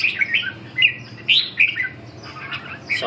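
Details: Red-whiskered bulbul singing in a competition, a bright run of chirpy, warbled notes in short bursts with brief gaps between phrases.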